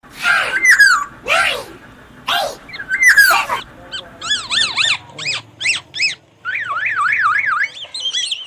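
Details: Black-naped oriole from Aceh singing in the morning: harsh, nasal downward-sweeping notes, then rapid zigzag fluty whistles with quick repeated trills near the end.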